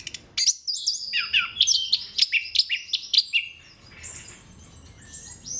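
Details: Orange-headed thrush song used to stimulate other thrushes: a series of sharp, evenly spaced chirps and downslurred whistles, then a quieter high thin whistle trailing off.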